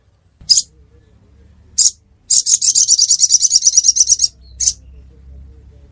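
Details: Ruby-cheeked sunbird recorded in Pidie, Aceh: single high chips lead into a rapid trill of about twenty fast, high, buzzy pulses, then one more chip.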